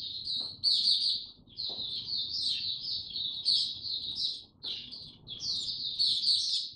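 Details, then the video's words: High, sustained twittering song of a caged white-eye, delivered in long rapid phrases broken by brief pauses, with some clicks and soft low background noise. "Mata Puteh Hercules buka sing"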